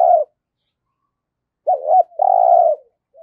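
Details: Decoy spotted dove for trapping wild doves, giọng thổ voice: a cut-off coo, a short silence, then a doubled hoot and a long even rolling coo trailing off quietly.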